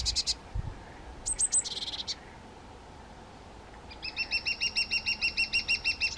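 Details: Two young white-tailed eagles: short bursts of high yelps, then a steady, evenly paced run of clear, ringing notes about three per second, over faint background hiss.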